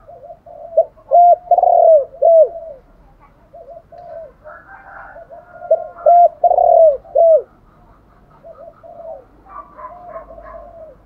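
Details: Spotted dove luring call, a full sequence: two loud phrases of four hollow coos with a longer drawn-out third note, separated by quieter background cooing and a few faint higher bird notes.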